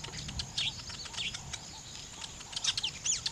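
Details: Weaver birds at nest building give short, high arched chirps and quick down-slurred notes in irregular bursts, several overlapping, over a soft low background rumble.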